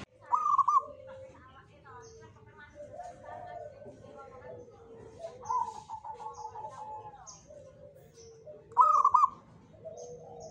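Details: Local zebra dove singing in the Jogoboyo style, believed to invite good fortune: two loud, bright, quavering coo bursts near the start and end, with softer, lower cooing phrases repeated in between.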